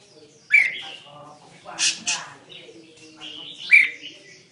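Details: Red-whiskered bulbul singing a mixed-repertoire song; short bright whistled notes sliding up and down, separated by a sharp buzzy double burst, with a faint low hum in the background.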